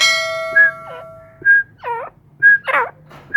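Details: Grey francolins kept in captivity, heard after a ringing bell tone fades; clear whistled notes near one second apart mixed with stacked, wavering notes, with a faint hum beneath.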